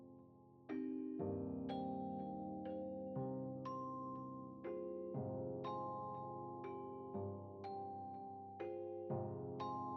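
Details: Only music is heard: bright mallet-percussion notes, like a glockenspiel or vibraphone, struck about twice a second over sustained tones.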